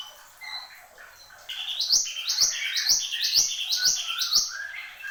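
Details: A mantenan gunung, Horsfield's babbler, opens with soft scattered whistles, then bursts into a regular string of six bright, rising, ringing notes at an even pace, followed by short lower whistles.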